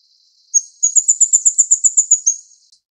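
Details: Plain flowerpecker (Dicaeum concolor uchidai) in Taiwan while feeding chicks: a rapid series of about a dozen thin, very high ticking notes run together in a short dry trill lasting two seconds.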